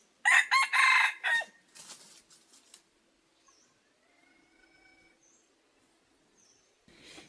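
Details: Red junglefowl crowing as a decoy to lure wild birds: a loud, harsh four-part crow lasting about a second, followed by softer broken notes and a faint distant reply near the end.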